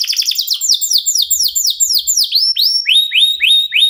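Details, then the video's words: Local canary singing energetically to prompt other birds to join in, used as a tutor for competition songbirds: rapid series of high, downslurred trill notes repeated several times a second, shifting into slower, swooping sweeps near the end. "KENARI LOKAL GACOR TOTAL, SEMUA IKUTAN BUNYI..PANCINGAN AMPUH BIKIN CEPAT GACOR"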